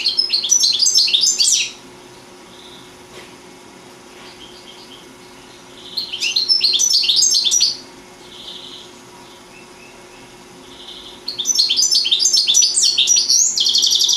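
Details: European goldfinch aged four, from Sant Salvador de Guardiola, in full song: three long bursts of rapid, tinkling, high twitters and buzzy trills, each lasting about two seconds, separated by quiet gaps of roughly four seconds.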